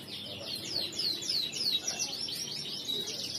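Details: Crisp riwikan song of a male crested canary: a fast series of high, sharply falling whistled notes about three per second, then a level trilling phrase, with quiet hum behind.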